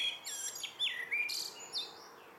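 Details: Common blackbird song at evening, a string of flowing whistled notes dipping and rising, mixed with shrill high twittered accents.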